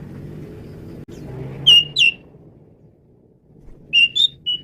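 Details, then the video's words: Singing male Asian pied starling whose varied song serves as a lure for other birds: short sharp whistled notes in two small groups, over a constant low hum. "JALAK SUREN JANTAN GACOR BERVAREASI"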